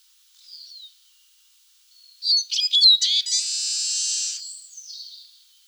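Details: Eurasian siskin singing: a faint thin note, then a burst of rapid twittering, chirpy notes that runs into a long, wheezy, buzzing drawl lasting over a second before fading out with a few soft chirps.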